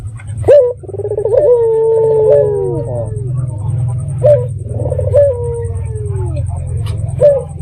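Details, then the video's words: Lure call of a local red-eyed dove, played to provoke other doves to answer: a bright note, a vibrating purr and a long falling coo, then softer repeated short coos, with a constant low droning hum beneath. "Pancingan Burung Puter Mata Merah Gacor"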